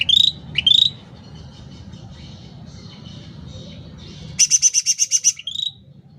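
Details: Two rising whistled notes open this vigorous sooty-headed bulbul song, recorded for training home birds or luring. A long quiet gap follows, then a fast, regular burst of about nine high pulsed notes ending in a short whistle.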